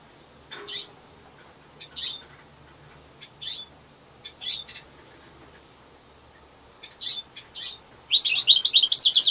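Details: European goldfinch singing alone: short twittering chirp bursts repeated about every second, then a dense rapid liquid twitter near the end, with a faint low background hum.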